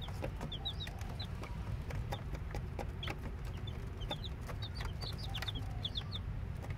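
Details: Newly hatched chicks, active just after hatching, peeping busily: many short, high, downward-slurred cheeps in quick, irregular bursts, several voices overlapping, over a steady low rumble of background noise.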